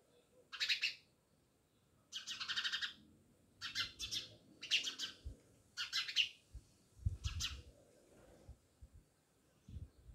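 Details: House sparrows, many living by a village house in Jamnagar, give clustered harsh chirps in six separate bouts over a faint low background murmur.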